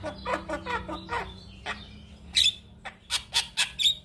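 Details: Male Javan myna in full song, used as a model for other mynas to imitate: a quick series of rasping chattering notes, then loud harsh broadband squawks with whistled overtones, repeated about every quarter second near the end.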